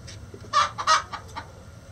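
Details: Chicken uttering a few short, clipped clucks, two louder ones close together followed by softer ones, against low background noise.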